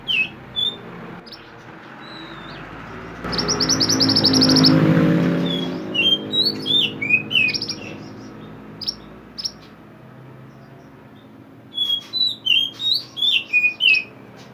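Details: Lively mountain mantenan bird in a songbird-training recording, mixing varied whistled slurs and chirps with a burst of fast buzzy rattle, followed later by a quick series of loud clipped whistled notes.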